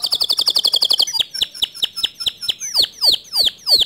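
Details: A white male canary delivers its standard long song, opening with a fast chattering trill, then shifting to separate sweeping notes that grow longer and louder.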